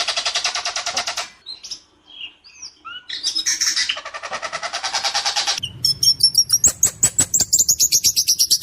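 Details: White-rumped shama, a singing bird in full voice, delivers a harsh, clear rolling song: a long buzzy trill, then scattered sweet whistled notes, and finally a fast run of sharp clicking pulses under high thin whistles.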